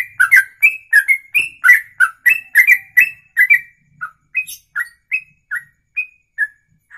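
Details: Songbird in ropelan style, a long one-breath song lasting over two minutes: a dense burst of rapid whistled slurs, about three per second, then thinning to spaced single notes near the end.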